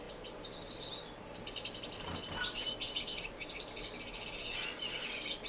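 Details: Community of finches in an indoor non-breeding aviary in Edmonton, Canada, recorded March 26, 2015, giving continuous high twittering and falling whistled notes, several birds overlapping throughout.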